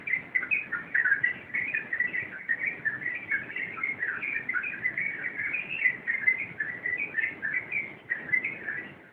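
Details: Sooty-headed bulbul in rompelan song, an extended flow of crowded, bubbling notes in rhythmic bursts, steady and unbroken from start to finish.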